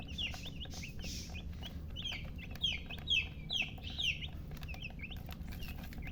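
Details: Baby chicks peeping, a burst of loud descending chirps in the middle, softer peeps before and after, light background hum.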